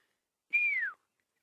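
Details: On an African morning in August, a Fork-tailed Drongo catching insects stirred up by a buffalo gives one clear, pure whistle that holds briefly then slides down in pitch, imitating a Pearl-spotted Owlet. Nothing else heard.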